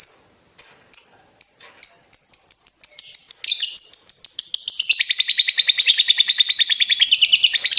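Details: Lovebird giving a long trill meant to teach other birds: opens with spaced sharp high chirps, then speeds into a continuous fast rattling chatter of high notes that grows fuller and louder toward the end.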